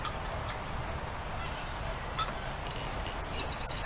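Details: Lorikeets outdoors greeting a familiar person: two short, shrill, high screeches, one near the start and one after two seconds, with faint clicks between and quiet background.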